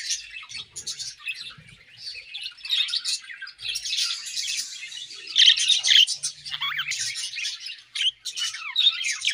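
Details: Eating budgie colony giving a lively chorus of high warbled chirps and short whistled slurs, swelling and dipping across the clip.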